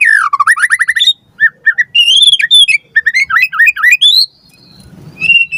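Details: Lure song of white-rumped shama for training captive birds: a quick descending trill series, then varied looping whistles and chirps, ending with a steady high whistle.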